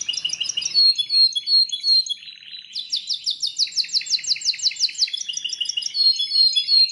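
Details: Belgian canary singing: bright high whistled notes, a brief soft buzzy trill, then a long run of fast repeated sharp downward-sweeping notes, ending in clear whistles.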